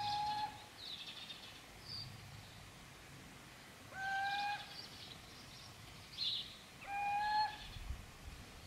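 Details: Little owl recorded at Gmina Podedwórze on 2 November 2018: sustained plain whistles, each about half a second, repeated at roughly three-second intervals, with brief higher chirps from other birds between them.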